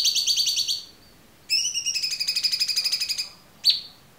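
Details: Cucak cungkok in clear song, used as a tutor recording for cage songbirds. Fast rattling trills of bright harmonic notes, two long bursts separated by a short gap, ending in a single sharp chirp.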